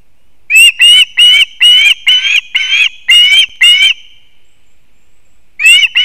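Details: Osprey nest with chicks in a leaning pine, Kurzeme, Latvia, September 2024: eight strident, slurred chirps in quick succession, a silent pause of over a second, then the calling resumes.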